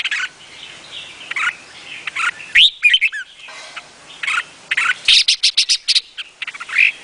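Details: Chirping notes from a Vietnamese red-whiskered bulbul lead into a loud upswept whistled phrase, then a quick rhythmic series of bright chirps near the end.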